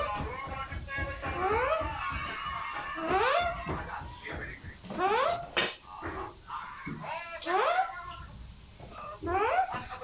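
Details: Pet parrot indoors, said to be talking a lot, gives repeated whiny rising vocal sweeps about every one and a half seconds, with a person speaking in between.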